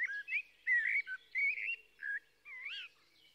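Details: Blackbird delivering warbled, flute-like phrases in short bursts about once a second, with a final rising and falling whistle.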